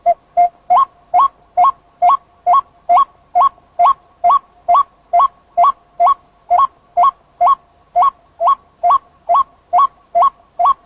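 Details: White-breasted waterhen call used for bird netting: a monotonous series of clear, hollow notes, each a short flat tone stepping sharply upward at its end. About two notes a second, very evenly spaced, over a silent background.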